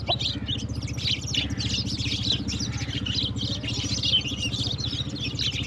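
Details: Several sparrows chirp quickly and unevenly while playing with water in the morning; sharp high notes crowd together over a rumbling engine-like hum.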